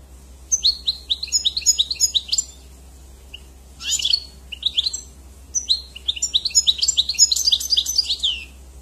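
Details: European goldfinch singing lively sequences of high, sharply sweeping chirps and twitters, pausing briefly before a longer jangling run, over a faint continuous low hum.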